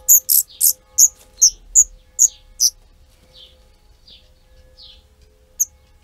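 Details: Tree pipit nesting on a terrace in summer 2016, rearing four young; eight piercing high chirps in rapid succession, then three softer descending notes and one last sharp chirp, with a faint steady hum behind.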